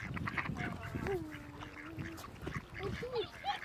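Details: Mandarin duck at Lake Črnava, Preddvor, Slovenia, on 4 March 2023, giving a drawn-out whistled note, then three short upslurred whistles about half a second apart, over steady low rumbling background noise.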